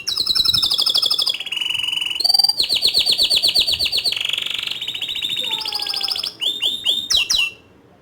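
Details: Canary delivering a long ngerol nembak song, dense rolling trills at several pitches changing every second or so, broken by harsh buzzy stretches and ending in quick rising and falling whistled notes.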